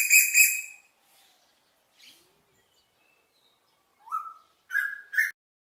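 Asian koel: a harsh, buzzy double burst, then three clear rising whistled notes, the last two quick and paired, in an otherwise quiet setting.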